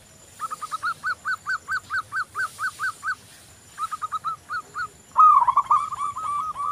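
Zebra dove cooing: a quick run of a dozen soft, evenly spaced staccato notes, a short pause and a few more, then a rolling trilled coo.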